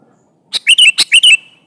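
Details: Loud sooty-headed bulbul challenging a rival; one lively burst of about five quick chattering notes with a rolling, gurgling warble, clear against a quiet background.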